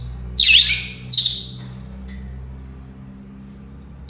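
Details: Senegal parrot, the yoyo parrot, calling indoors with two loud, harsh, buzzy squawks about a second apart, then quiet apart from a low steady hum.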